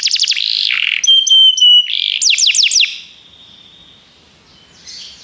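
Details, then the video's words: Canary singing for song training: rapid descending trills, a clean high whistled note held nearly a second, another burst of quick sweeping trills, then a quiet pause and a soft buzzy phrase at the end. "Canários Begie cantam muito - o melhor treinamento canário para você"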